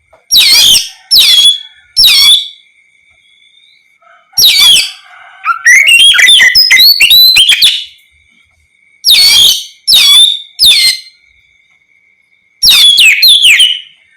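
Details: Oriental magpie-robin giving ngeplong song meant to provoke other magpie-robins to reply; short sharp whistled bursts spaced a second or so apart, with one longer dense trilling phrase in the middle, and a faint steady tone behind.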